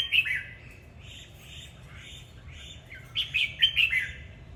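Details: Red-whiskered bulbul performing its singing-and-dancing display (hót múa): a rich warbled phrase opens, then softer slurred notes, ending in a louder cluster of four bouncy, liquid whistles.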